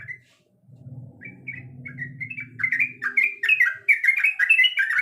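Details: Sooty-headed bulbul female calling to a male, starting with a few spaced whistled notes over a low rumbling hum, then breaking into a dense, loud burst of quick chattering slurred whistles.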